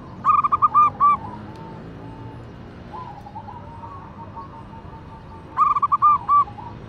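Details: Female local zebra dove calling to a male, giving a quick cluster of five or six clipped cooing notes, a long quiet gap with faint low coos, then the same rapid cluster again near the end.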